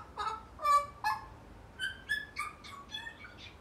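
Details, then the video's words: Pet male African grey parrot, eight months old, chattering in a series of nasal, harmonic notes, some squawky and some whistled, about two or three each second. "African grey 8 months chatter"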